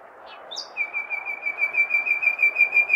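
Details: On a May night in a big city a common nightingale sings a long, steadily repeated series of pure whistled notes on one pitch after a couple of brief higher notes, over a low murmur of urban noise.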